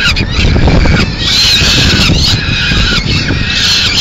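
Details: Peregrine falcon in Madrid, Spain, on 30 April 2016, as the female arrives with pigeon remains for a late snack: continuous harsh, grating wailing calls, loud and unbroken, over a heavy low rumble of city traffic.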